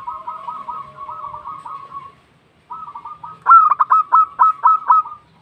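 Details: Local zebra dove calling out to other doves: a rolling, purring trill held at one pitch, a short pause, another soft trill, then several sharp, loud staccato coos in an uneven run.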